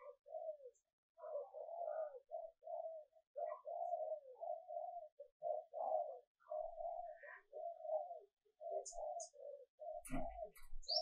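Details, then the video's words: Female dove calling to attract males, used for decoy training: a quiet, nearly continuous run of low coos and burbling notes, with a few sharp clicks near the end. "Tiếng Chim Cu Mái mp3 kích Trống"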